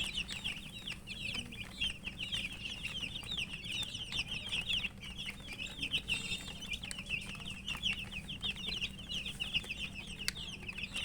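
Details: Domestic chicken chicks (murgi) chirping continuously while eating, a busy chorus of high, thin, falling peeps with light taps and a low background hum.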